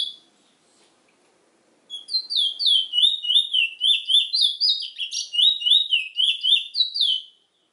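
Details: Trinidad bullfinch, the chestnut-bellied seed finch, begins after nearly two seconds of quiet with a steady run of bright, down-slurred whistles, roughly three to four each second, continuing for over five seconds before stopping.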